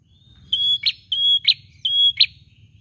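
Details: Ashy tailorbird giving three quick phrases, each a level high whistle closed by a loud buzzy click, spaced about two-thirds of a second apart, over a low rumbling background.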